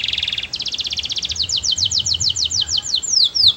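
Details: Canary singing melodiously to coax other canaries into song. A buzzy rattle gives way to a fast trill that slows into spaced, sliding whistled notes.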